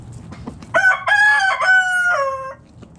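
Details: Rooster in a backyard chicken flock foraging in the morning, crowing once: a loud harmonic call starting at about 0.7 seconds, held steady, then dropping in pitch at the end, lasting nearly two seconds over faint scratchy background noise.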